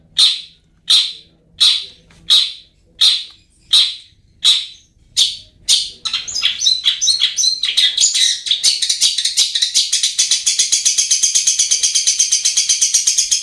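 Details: Long-tailed shrike recording played to prompt idle birds to sing: about eight loud, harsh calls spaced under a second apart, then a fast buzzy chattering rattle building and continuing to the end.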